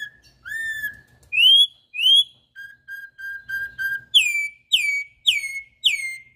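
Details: Melodious wild-style song of a Campo troupial: a long flat whistle, two rising slurred notes, a quick series of short level notes, then four strong ringing downslurs about half a second apart, in a quiet setting.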